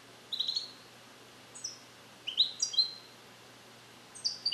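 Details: A male European goldfinch, captive-bred in 2021 in the USA and isolated in a carrier for recording, practises Neapolitan song passages. Sparse high chips and short buzzy slurred notes come in brief spaced bursts.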